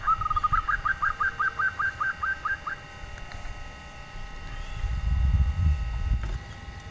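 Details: Female zebra dove, local bird, calling in the nyelir style to attract quiet males: a brief opening coo, then a fast run of about a dozen clipped, slightly rising notes, followed by low traffic-like rumble and silence.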